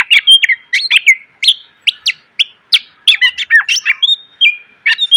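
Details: Cage-bird training song of a greater green leafbird, packed with fill phrases: rapid chirps, downslurred whistles and a few flat tones, bursts spaced by brief gaps, no other sounds.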